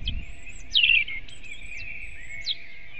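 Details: Dawn song of a robin, 8 April 2016, shortly before six in the morning: sparse, thin high whistles, each sliding up or down, with one brief louder twittering burst over a constant bird chorus.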